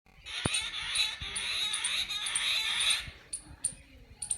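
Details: Jungle babbler, known locally as seven brothers: a dense, harsh, squeaky chatter of overlapping high notes running for about three seconds, then a few scattered sharp notes with faint thumps below.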